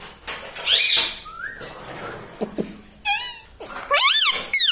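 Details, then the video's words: Pet parrot said to talk, voicing loud, harmonic-rich calls in separate bursts that sweep up and down, with quieter clicks and soft rustling between them. "parrot talking everything"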